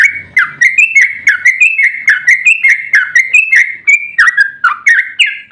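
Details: Long rapid 'ropel panjang' song of a yellow-vented bulbul, meant to provoke other bulbuls into singing: a steady chain of clear, whistled slurred notes, several per second, bouncing between slightly higher and lower pitches throughout.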